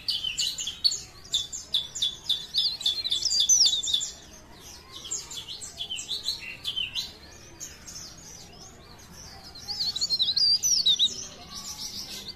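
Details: Energetic song of a leaf warbler recorded in Pare Pare: three phrases of fast, high-pitched chattering twitters, each a few seconds long with short silences between, the last containing sharp slurred whistles.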